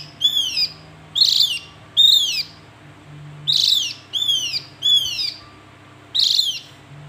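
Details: Javan white-eye uttering a series of loud, high, downslurred whistles, eight notes at uneven intervals, some in quick pairs, with harmonics and a faint low drone.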